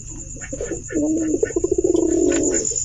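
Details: A pigeon gives a soft opening note, then a long, deep, bubbling coo that breaks into rapid throbbing pulses for nearly two seconds, with a constant high-pitched hum behind it.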